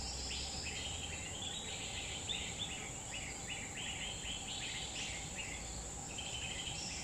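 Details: A grey-bellied bulbul sings in the wild in a Central Kalimantan forest, repeating quick, gurgling note clusters with brief pauses, accompanied by constant high insect noise.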